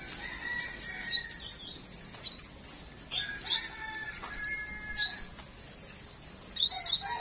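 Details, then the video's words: Flowerpecker morning song: bursts of bright, high, rising and falling chirps in quick clusters, mixed with lower whistled notes from other birds, then a final pair of sharp chirps. "Chim Sâu Hót"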